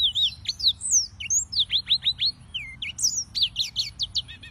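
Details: Energetic yellow-fronted canary (Serinus mozambicus) song: rhythmic high whistles and sharp downswept notes, with a run of five quick chips near the end.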